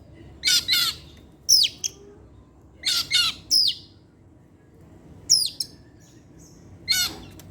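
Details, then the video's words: Oriental magpie-robin in captivity singing in the evening: pairs of harsh buzzy notes and sharp descending whistles, delivered in short groups separated by pauses of a second or more. "pancingan suara kacer , Opus setiap sore ngeplay dan keluar materi"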